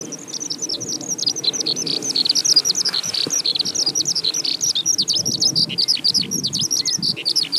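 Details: Eurasian skylark singing as it rises into the sky in spring song flight, a continuous torrent of rapid, high, chirping and trilling notes without pause, with faint low background noise.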